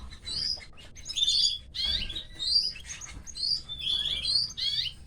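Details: Canary chicks being fed by their mother, giving continuous high, thin, wheezy begging chirps in rapid overlapping bursts, fairly steady throughout.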